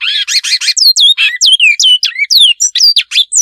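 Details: Great-billed seed finch singing a "mandela" style song: rapid clear whistled notes, many sweeping down then curling up, with buzzy harmonic phrases at the start, delivered in quick bursts about every quarter second.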